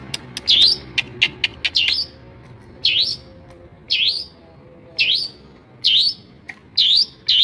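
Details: Long-tailed shrike, a Madura cendet, mimicking the voices of other birds; a quick run of sharp high clicks and short notes, then a regular series of loud swooping V-shaped whistles about once a second.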